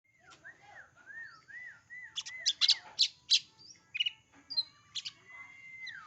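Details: Oriental magpie-robin song: a series of smooth, looping mid-pitched whistles, then loud, sharp high notes in quick irregular succession, ending on a long, level whistle.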